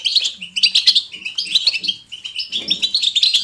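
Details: Goldfinch bitbita twittering, natural and lively: bright, high chirps in quick clusters separated by short gaps, with a soft low rustle partway through.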